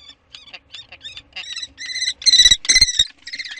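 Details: Common kestrel (Falco tinnunculus) on 15 May in spring gives about nine high, harsh notes in quick succession, growing louder and longer toward the end, with a few soft thumps underneath; call.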